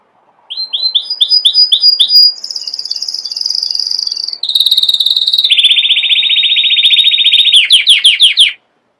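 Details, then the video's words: Canary song beginning with repeated short swooping notes, moving into a very high sustained trill, a mid-pitched trill, a long rolling rattle, and ending with a burst of fast descending chips. "chant canari magnifique"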